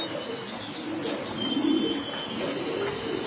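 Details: Racing pigeon loft with a soft guttural coo rising in the middle, other birds murmuring and faint high chirps and wing rustles around it.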